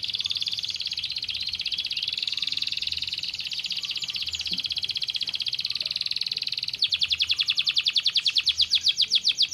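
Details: Canary singing to stimulate lazy birds into song: a long rolling buzzy trill that switches to a faster, louder pulsed rattle near the end.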